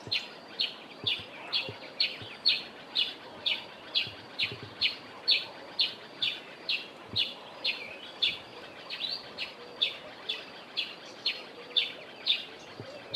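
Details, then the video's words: A Grey-headed Sparrow in a garden in the Eastern Cape, South Africa, gives a steady run of short, high, sharp chirps, about two each second, over faint background hiss. "Grey-headed Sparrow"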